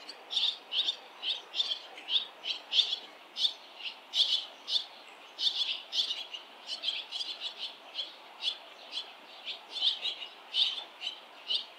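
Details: ['Many barn swallows flying along a street during a lively fledging, with parents and earlier fledglings coming to the nest; crisp high chirps repeated steadily, several per second, in a continuous chattering stream.']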